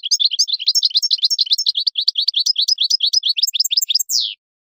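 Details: Tutoring song of a European goldfinch for young birds: a dense, tumbling twitter of varied high chirps and liquid notes for about four seconds, ending in a drawn-out buzzy downslurred note.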